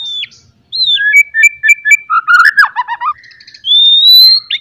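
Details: White-rumped shama morning song, loud, for stirring a shama's fighting spirit: a falling whistle, repeated paired notes about four a second, a fast dense warble, then a long rising clear whistle.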